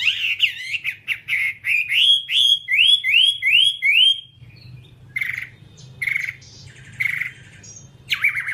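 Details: Whambie song, long tutor recording for kept songbirds: a run of about eight bright, upslurred whistles in quick succession, then a pause and several harsh, raspy notes spaced about a second apart.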